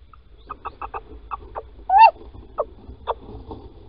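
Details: Male little owl calling at Holten on the morning of 16 March 2020, 10:25, while the female digs a nest scrape: one loud, rising-then-falling whistled note amid a run of softer, rapid clucking pulses.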